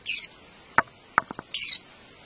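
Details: White-eye in the wild, at the nest feeding young, gives two loud, thin, high notes that drop in pitch, about one and a half seconds apart, with soft taps or clicks between them.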